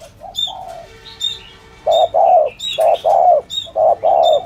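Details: Spotted dove coo in thổ thúc gù style for luring; softer coos at first, then four loud hollow paired coos in quick rhythm, accompanied by thin high chirps.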